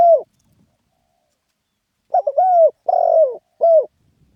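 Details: Spotted dove in spirited 'khan yon' cooing. The tail of one phrase is heard, then silence, then a complete phrase: a stutter, a smooth falling coo, a buzzy drawn coo and a short final hoot.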